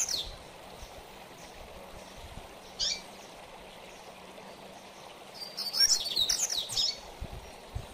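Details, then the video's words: Double-collared seedeater singing mateiro style for training: a faint note at the start, a sharp chip near three seconds, then a fast, bright burst of high twittering in the latter part, over continuous hiss. "Coleiro Mateiro"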